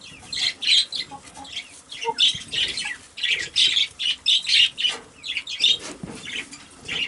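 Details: Quaker parrot kept as a pet, known for saying "I love you", producing rapid, high, raspy chattering syllables in quick clusters about twice a second, bright and scratchy, with no other clear sounds.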